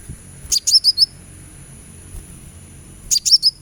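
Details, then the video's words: Sunbird recording used as therapy to make a bird sing actively: two clusters of four very high, bright, descending chips, separated by a quiet pause, with a faint low thud at the start. "suara terapi kolibri supaya gacor"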